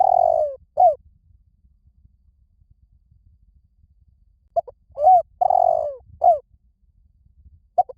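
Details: Cooing spotted dove used as a lure for wild doves: a rolled note tails off into a falling coo, a roughly three-second silence follows, then a full phrase of clipped notes, an arched coo, a long purring note and a falling coo.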